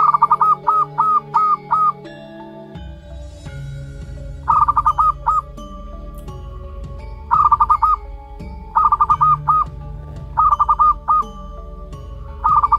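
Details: A one-month-old zebra dove of local natural stock calls repeatedly: six bursts of four to six quick, evenly pulsed coo notes, spaced one to two seconds apart, with continuous low humming tones and occasional knocks.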